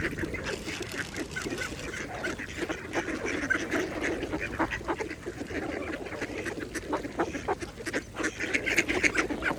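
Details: Pond-feeding mallards chattering constantly, short rough quacks repeated several times a second amid dabbling and splashing water.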